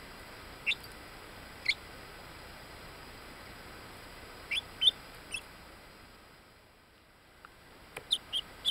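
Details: Ten-day-old buff black-laced bantam Orpington chicks, Binzen, May 2013: short high rising peeps in scattered bursts, single notes early, then a quick cluster of four near the middle and another flurry at the end, over steady faint hiss.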